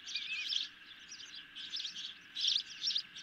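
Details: Ospreys at the nest late on 10 July 2021, receiving a medium-sized fish; a few quick clusters of high chirps, loudest near the end, over a quiet hum.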